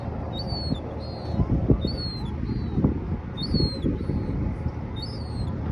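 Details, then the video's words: A juvenile herring gull gives thin, high, downslurred squeaks, paired or single, about every second or two, over a steady low rumble of wind or traffic. "High pitch squeaking sounds of juvenile herring gull"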